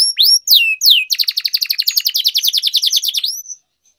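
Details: Caged canary singing, a training song for long rolling song: opening whistled upward and downward sweeps, then a fast buzzy trill of rapid repeated notes for about two seconds, ending in a short whistle.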